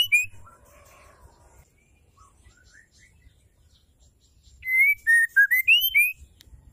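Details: A female white-rumped shama gives a call used to provoke male shamas to sing. Soft, faint slurred whistles come first, followed by a loud burst of about seven ringing whistled notes, falling then climbing in pitch.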